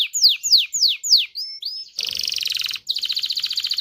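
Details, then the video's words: Canary song to prompt males and females to mate: four loud downward sweeps, a soft whistle, then two fast rattling trills split by a short gap. "تغريد كناري لتدريب ذكور واناث الكناري على التزاوج. صوت كناري لتزوج .. Canary singing"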